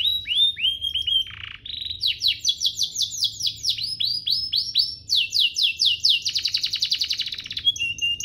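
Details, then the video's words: Domestic canary master song for tutoring young canaries and provoking song. Descending whistled notes, a dip, then long runs of rapid rising chips building into a dense, fast rattle before a steady whistle ends it. "Cengkoknya MEWAH, Efektif buat Masteran kenari paud dan pancingan kenari biar gacor"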